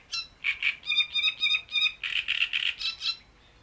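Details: Great reed warbler at Bohdanečský rybník pond delivering a loud, rhythmic string of harsh, scratchy double-toned notes, repeated several times a second with a brief change of phrase midway.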